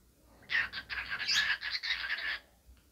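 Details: Pet cockatiel described as talking while dancing, giving a two-second burst of buzzy, scratchy chatter in quick broken syllables. The room is otherwise quiet.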